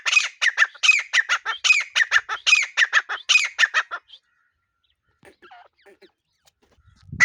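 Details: Partridge (desi teetar) in a fast, rhythmic series of rasping, squawky notes, grouped in triplets and repeated for about four seconds, followed by near silence and a few soft faint sounds.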